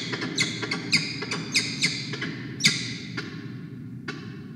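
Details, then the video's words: Adult peregrine falcon pair bonding at a nest box on the Charles Sturt University campus in Orange, around 6:33 AM on 28 November 2021, with a chick calling outside; harsh, grating squawks repeat rapidly, about eight in under five seconds, over a steady low rumble. "bonding between Diamond and Xavier.Yurruga calling outside"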